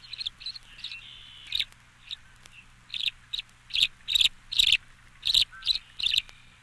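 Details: Tree Swallow (Tachycineta bicolor) song: bright, liquid chirps and gurgles in short, uneven bursts about once a second, with one longer thin whistle early on, over a faint low hum.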